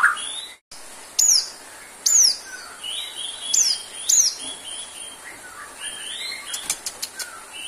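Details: White-rumped shama singing, intended to rouse shamas short on stamina. Piercing high notes sweep sharply downward, repeated about once a second at first. They give way to softer whistles and a rapid series of ticking clicks, over a steady background hiss.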